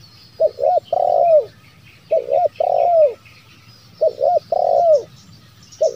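Spotted dove giving low, hoarse coos: two short notes and a long falling 'krooo', repeated about every two seconds, with faint chirping of small birds behind.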